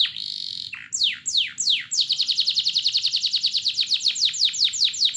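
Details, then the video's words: Song of a canary, used to prompt other canaries to sing, opening with a steady buzzy tone, then a few falling whistles and a long fast trill of repeated downslurred notes. "Pancingan suar kenari yang bikin burung kenari lain ikut langsung Bunyi dalam 1 detik saja"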